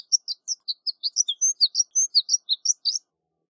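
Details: A horned lark gives a rapid tinkling run of about seventeen high, thin notes over three seconds, jumping up and down in pitch; nothing else audible.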